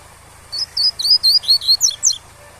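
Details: A captive double-collared seedeater sings the tui-tui style, meant for tutoring young birds: about eight crisp whistled slurs in quick succession, the last ones steep and broken, above a quiet continuous waterfall murmur.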